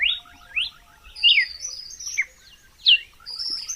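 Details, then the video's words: Red-cowled cardinal song, clean natural recording without added effects: clear whistled phrases of rising and falling slurred notes, bright and varied, given in short bursts with brief pauses between them. "Som limpo do canto🎵 do Cardeal do Nordeste"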